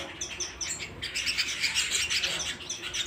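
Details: Canary singing at home, kept indoors: a dense run of bright, rapid chirps and trills, repeated several times a second, with short warbled phrases and sweeping notes throughout.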